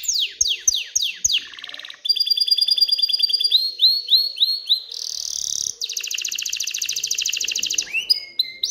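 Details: An aroused canary sings to encourage females to pair and nest. It gives descending whistled sweeps, a rattling trill, pulsed chattering tours, and a dense buzzy roll, changing phrase every second or two.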